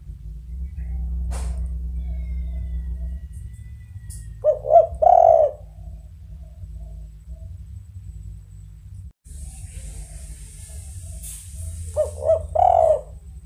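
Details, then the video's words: Tekukur, the spotted dove, repeats a soft three-part coo twice about eight seconds apart, each phrase ending in a drawn-out slurred note, against constant low-pitched hum and a short hiss between phrases. "Suara TEKUKUR Suaranya Sangat MERDU"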